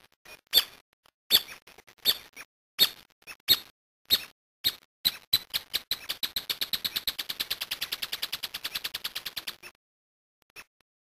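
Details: Brasilia tapaculo from Brazil: sharp, separate clicking notes spaced about half a second apart, then a fast, even trill lasting nearly four seconds that stops abruptly, followed by one last isolated note.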